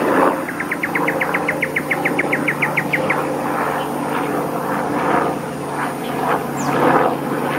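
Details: A Black-faced Cuckoo-shrike is fed by an adult at its nest at Oxley Creek Common. The young beg with a fast, even run of about seventeen short, high chipping notes, then softer rasping bursts, over a steady engine drone.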